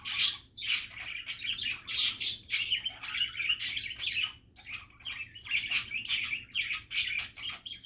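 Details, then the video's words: Relaxed, happy budgies keep up busy chatter, a dense run of quick chirps, clicks and buzzy warbles with sharp squeaky peaks, nearly unbroken. "Happy and relaxing budgie chatter"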